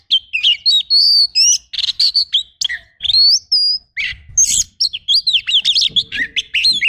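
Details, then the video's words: Oriental magpie-robin rough 'shot' fill-in song: a long, unbroken medley of clear whistles, raspy buzzes and fast chattering notes, growing denser toward the end. "MASTERAN KACER FULL TEMBAKAN KASAR"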